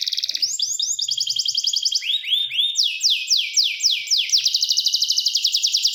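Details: Canary song made of rapid rolling trills and short rising phrases, a series of falling slurred whistles, then a long, very fast, metallic trill. The song is continuous, with a faint low thump or two beneath it.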